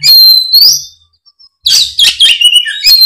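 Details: Fighting-mode Oriental magpie-robin giving its full repertoire as a lure: a long clear whistle rising at its end, a pause, then a loud burst of chattering, sliding notes.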